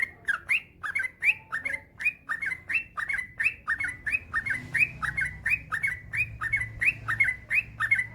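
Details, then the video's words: Male yellow-vented bulbul singing at length, a track for getting reluctant bulbuls to sing: brisk regular chirps with upward-flicked endings, roughly three each second, a low background murmur. "Suara burung trucukan gacor ropel panjang"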